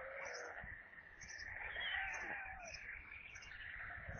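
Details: White storks at a nest in Russia's Kaluga region during an evening feeding at 17:52 on 22 July 2022, with a corncrake brought as food. Wavering, whining tonal calls slide up and down, with short high ticks repeating about once a second.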